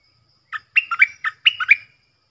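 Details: Bulbul used as a decoy bird, one of four decoys recorded from the real forest: short bubbly, warbling notes in quick clusters, rising and falling, in one brief burst of about six notes with clean quiet background.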